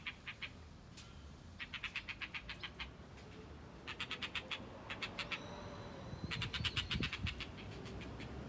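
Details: Blue rock thrush carrying a lizard in its bill, displaying toward a female. Quick runs of hard ticking clicks come in four separate bursts, about three per second, with a faint thin whistle and steady low background hum.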